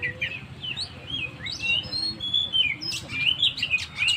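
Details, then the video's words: Oriental magpie-robin singing in 'gacor' style, meant to stir up stressed birds: scattered clear whistles and sharp chirps, some rising, over steady low background hiss. "suara burung Kacer gacor// naikan emosi//pancingan burung stress"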